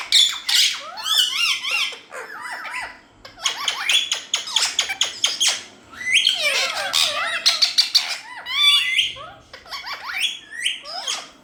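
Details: Several parrots in a small room say "Mithu" over and over, mixing raspy chattering syllables, quick wavering whistles and squawks in dense bursts broken by brief pauses.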